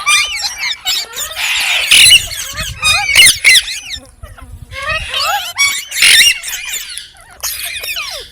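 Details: Green parrot in the USA chirping: dense bursts of squeaky, chattering notes with rapid up-and-down slurred whistles, loud clusters near two and six seconds separated by brief quieter gaps.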